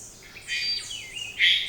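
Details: Three-wattled Bellbird, a fruit-eating bird of Costa Rica's cloud forest, giving one of the forest's most piercing calls: two harsh, high squawks, the second louder, about a second apart.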